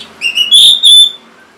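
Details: A single short orange-headed thrush phrase meant to get caged birds singing: a few quick whistles leading into two drawn-out, clear, ringing whistled notes.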